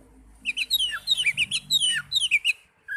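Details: Young Oriental magpie-robin singing quick, rhythmic runs of sharp downslurred whistled notes, about a dozen in three seconds, with a faint low hum behind it.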